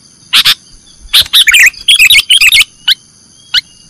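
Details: Sooty-headed bulbul giving nggaruda-style song for cage-bird training: a couple of sharp chirps, then a fast run of bubbling, warbled notes, ending with two isolated high chips; a faint steady tone runs beneath.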